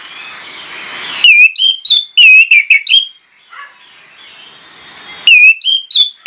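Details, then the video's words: Orange-headed thrush giving a persistent lure song meant to coax other birds into singing, unloading its repertoire. Two bursts of loud, clear, quickly repeated whistled notes, some slurred and rising, separated by a quiet hissy pause. "PANCINGAN ANIS MERAH PLONG NGOTOT BONGKAR ISIAN"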